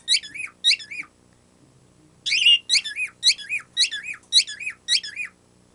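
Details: Pet bird making a cute squeaky-toy noise it was not taught: two bright, squeaky, falling notes, a pause, then a run of six similar squeaks, each a quick high rise and drop; quiet room hum underneath.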